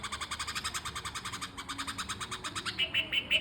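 A red-vented bulbul gives a fast, scratchy chatter of about nine notes a second, ending in a few short, clear whistled notes.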